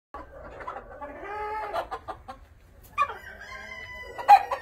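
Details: Ayam Cemani chickens at a breeding farm: several clucking, squawking calls with harmonic, nasal notes in two bursts, the second louder with a sharp squawk near the end.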